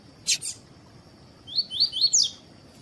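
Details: Double-collared seedeater of the tui tui style, warmed up with a female for song contests. A click, then a brisk phrase of four upslurred whistles ending in a higher, sharper note, with a constant high-pitched whine behind.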